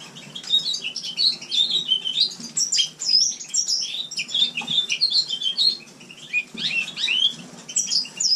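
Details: Captive house finch singing indoors in a shared bird room in winter: a long, rambling warble of quick, slurred, high chirps and twitters, rising and falling, with a steady low hum underneath.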